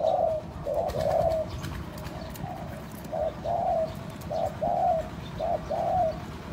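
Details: Spotted dove cooing to draw in other doves: moderately soft, slightly slurred coos in two loose groups, separated by a quieter stretch, over background hiss and low rumble.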